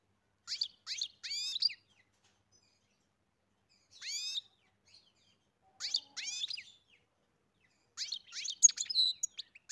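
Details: Farm goldfinch giving spaced bursts of twittering song: clusters of quick rising and falling chirps roughly every two seconds, the final burst busier with bright ticking notes.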